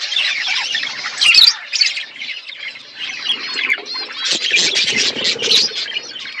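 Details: Feeding flock of budgies in winter, a constant chorus of high chirps and squawky warbles, swelling louder near the start and again in the latter half.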